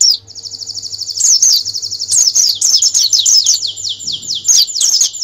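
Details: Canary master song for preparing competition birds for a national contest: dense high trill sustained over five seconds, interspersed with sweeping whistled notes and rapid rolls, with a faint low hum beneath.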